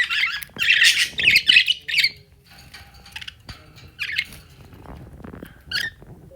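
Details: Budgerigar (Melopsittacus undulatus), call.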